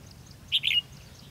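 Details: A red-whiskered bulbul in competitive song at a trap set with a caged decoy, 13 February 2016, gives a single short burst of three clear, rippling whistled notes, with faint background rumble.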